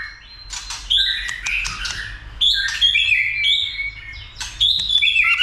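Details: White-rumped shama fired up for fighting and trained to sing many voices; bursts of clear whistled phrases, each opening with sharp chips and running into ringing high notes, separated by short pauses.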